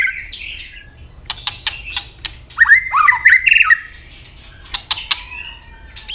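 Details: White-rumped shama in early breeding heat, hopping about and singing to fight, with tail flicks. Scattered sharp clicks surround one short, bright phrase of quick whistled notes near the middle.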